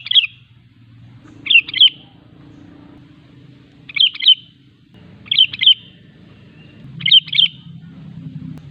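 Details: Sooty-headed bulbul singing continuously, played to get other bulbuls to sing and to attract wild ones. Five short, bright, two-part whistled phrases repeat every one to two seconds, with faint low rumbling behind.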